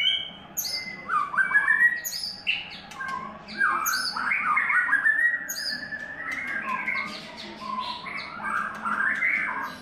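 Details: Third-molt white-rumped shama delivering a long, flowing warbled song of quick rising and falling whistles, with crisp high ticks above and brief pauses between bursts.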